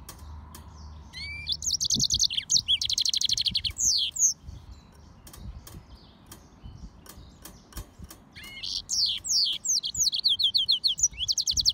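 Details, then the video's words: Song of a hybrid between a yellow-fronted canary and a domestic canary: high twittering phrases with rapid trilled notes and rising slurs, broken by gaps and clicking taps. "طائر الياسمين هجين الموزمبيقي serin mozambique xCanary"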